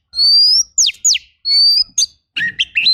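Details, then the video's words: Oriental magpie-robin, rough fill-in training song: long level whistles alternating with steep downward-swept notes, then a quick jumble of chirpy, buzzy phrases. "MASTERAN KACER FULL TEMBAKAN KASAR"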